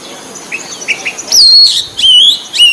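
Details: Wild white-breasted Oriental magpie-robin song: a few soft short notes, then loud sweet whistles, some level and long, some sharply rising, delivered rapidly with a steady background hiss.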